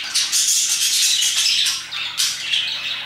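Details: Several parakeets chirp around 2pm: continuous raspy, high-pitched chatter with thin whistled notes woven through, a sudden louder burst near the end.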